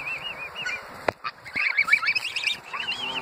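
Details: Greylag geese gathered at Iffley Lock on the River Thames in Oxford, England, calling in rapid overlapping honks with rising and falling inflections, plus a sharp click just after one second.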